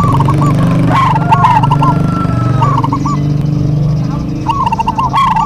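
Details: Local zebra doves duetting: looping coo phrases at the start, middle and end, mixed with a steady low drone and a brief drawn-out tone.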